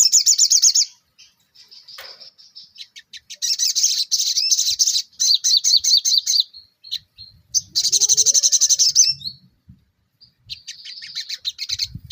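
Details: Ruby-cheeked sunbird in lively 'nembak' style song: repeated runs of very high, fast, sizzling trills and chatters broken by brief gaps, with faint low rustling and knocking in the background.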